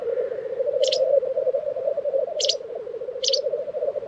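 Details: Black grouse lekking in Tiveden, Sweden, in April 2023: a continuous throbbing, bubbling drone, broken by three sharp, breathy hissing bursts spaced about a second apart.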